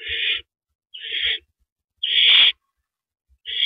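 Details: At the nest, a male barn owl delivers a rodent at 8:45 PM in April 2012. Four rasping, hiss-like screeches follow one another with short pauses, the third longest and loudest, with faint knocks underneath.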